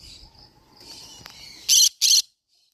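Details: Soft, thin whistled chatter from a green-cheeked conure over low background noise, then two loud, rasping screeches in quick succession.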